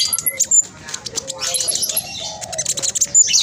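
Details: Black sunbird with spotted plumage singing a speedy, tightly packed chatter, used to lure other black sunbirds into song: high buzzy twitters and sharp whistled notes, with soft lower whistles underneath.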